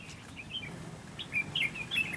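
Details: Red-whiskered bulbul used as a decoy in a fighting trap to provoke rivals: after a quiet start, a quick run of short, bright, slurred whistled notes rises and falls in the second half.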